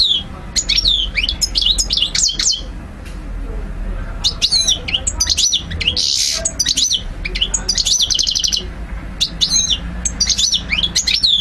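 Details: Goldfinch song for stimulation and song learning: an unbroken run of fast, liquid twittering notes mixed with short buzzy trills and sharp high chips.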